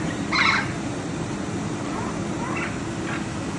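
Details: Blue macaws, described as smart parrots: one loud harsh squawk early on, then two shorter, softer rasping calls later, over a steady low background hum.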